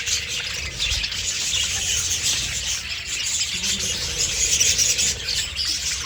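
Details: A flock of budgerigars in an aviary keeps up a dense, high twittering chatter of overlapping chirps and squeaks.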